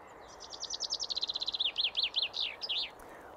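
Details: A Common Chaffinch in deciduous groves by Limsjön, Leksand, Sweden, sings a bright, descending trill of rapid notes that slows into a few louder phrases and ends with a flourish; faint background hiss.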